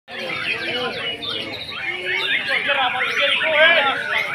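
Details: White-rumped shamas at a bird singing contest: dense overlapping whistled phrases, rapid trills and rising and falling notes fill the air without a break, with people talking in the background.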